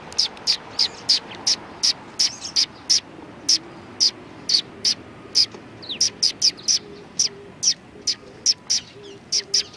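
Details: A neighbouring flock of sparrows at a Tenmangu shrine, Japan, 14 March 2019, chirping steadily: sharp high notes roughly every half second, some in quick pairs, over a soft low murmur.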